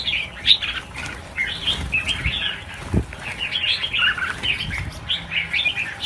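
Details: Overlapping chirps and warbled runs come from a crowd of red-whiskered bulbuls let go in a release of 1000 birds, with soft wing flaps.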